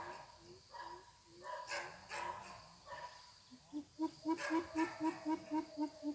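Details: Greater coucal, a young decoy bird in weekend training for luring wild coucals into a trap, gives a few spaced low hoots, then a faster, louder even series of deep booming notes, over light rustling noise.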